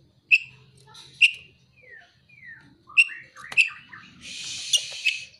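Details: Kacer (Oriental magpie-robin) giving sparse piercing single notes in a song with prinia and sunbird imitation material, soft slurred whistles between them, then a hissing rush near the end.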